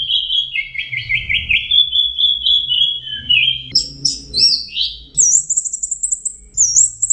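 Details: Orange-headed thrush singing a long trilled, warbling phrase in a mid-high range, then sharp chirps and a high, repeated fluttering whistle, with a low background rumble.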